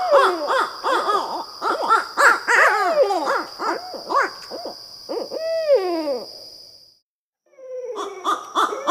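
Barred owls hoot excitedly in rapid, overlapping, slurred hoots and rising-then-falling wails, pausing briefly before resuming. A steady high insect whine runs underneath.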